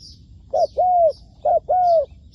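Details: Soft, low coos from a spotted dove kept as a decoy for trapping. Two phrases, each a clipped note followed by a longer, evenly falling coo, with faint high chirping from other birds behind.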